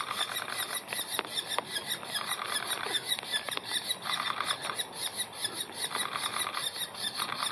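Young Banded Woodpeckers give a harsh, buzzy chatter of rasping notes, about two or three per second, in a near-continuous stream.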